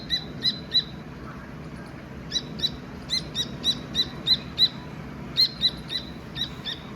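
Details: Dakni teetar partridge chick chirping naturally: bursts of sharp, high, harmonic-rich peeps repeated rapidly in uneven runs, with brief pauses between groups, over a low steady background hum.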